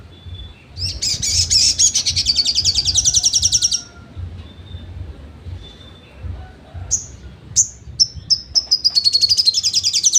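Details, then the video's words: Sogon trotol song as training material for songbirds: a fast high rattling trill for about three seconds, a pause, then spaced sharp notes that speed up into another rapid trill. "SOGON TROTOL materi sejalur"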